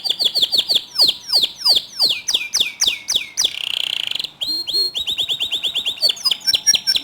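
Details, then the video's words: Canary singing to incite other canaries to sing: regular down-slurred whistled notes, a buzzy churring trill, then mixed quick chips and short trills. "Masteran Kicau Kenari Untuk Memancing Kenari Lain Agar Ikut Gacor Dor"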